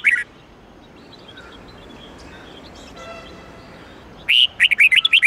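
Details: Red-whiskered bulbul, twisting '8-9-10 note' song for training caged bulbuls: the end of one phrase, then a long hushed gap with soft hum, and finally a fresh run of quick, rising and falling whistled notes.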